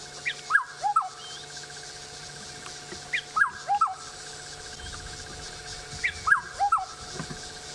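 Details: On 28 October 2016 a black-headed oriole calls up in a tree, possibly territorial or attracting a mate, giving three liquid, fluty falling phrases about three seconds apart over a steady hum and faint insect hiss.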